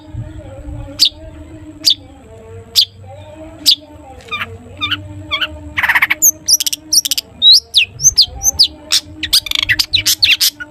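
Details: Long-tailed shrike singing in the "toet toet" style used to prompt other shrikes: sparse single high ticks at first, then a burst of rasping noise and a dense, varied run of whistles, slurs and chatters over a low hum.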